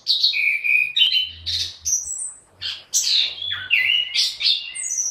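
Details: Energetic orange-headed thrush song: a varied run of whistles, sweeps and trills switching pitch rapidly, with brief pauses, a faint low hum in the background.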